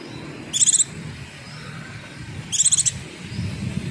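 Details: Javan white-eye lure call to prompt answering birds: two short bursts of quick, high, buzzy pulses about two seconds apart, over a steady low rumble.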